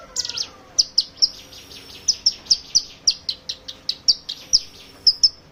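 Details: Hill prinia lure song for prompting other birds to sing: a brief thin descending whistle opens, then crisp high ticking chips follow in an even series, roughly three per second.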